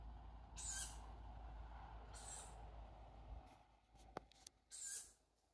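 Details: Young tawny owl calling for food: three faint, harsh, hissing screeches spaced about two seconds apart, set against steady low rumble and a few sharp clicks.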